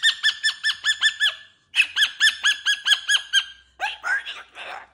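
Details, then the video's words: Indoor cockatoo playing with new jingly toys on its cage, repeating a quick bouncing 'woo woo woo' over and over in two bursts, then breaking into harsher mumbled talk-like syllables. "Fun Talking, Silly Wing Waves, Woo Woo Woo!!!"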